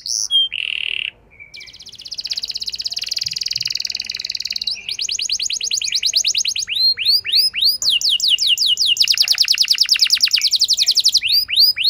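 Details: Canary lure song to make a hesitant canary answer and sing at length. A few opening notes lead into a long buzzy trill lasting about four seconds, then rapid repeated tours of sweeping notes.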